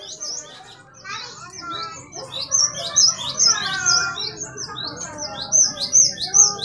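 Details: Great tit, known locally as glatik batu, in lively full song, used as a master recording to train caged birds and provoke them to sing; fast series of high hooked whistles repeated about twice a second, with lower chattering notes beneath.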